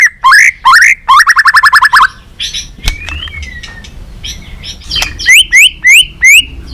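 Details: Balak 6 white-rumped shama recorded as a bird-catching lure: sharp rising whistles, a rapid rattling trill, a soft thin whistle, then four loud rising whistles spaced about a third of a second apart.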